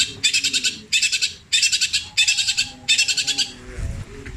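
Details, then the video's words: Long-tailed shrike singing copied kingfisher, kuntilanak and sparrow sounds in petir style. Five separate bursts of rapid rattling notes, each about half a second, spaced roughly every 0.7 seconds, fading at the end. "CENDET INI MUNTAHKAN TENGKEK BUTO KUNTILANAK GREJA NYERET PETIR KW PANJANG2 DAN DIULANG2"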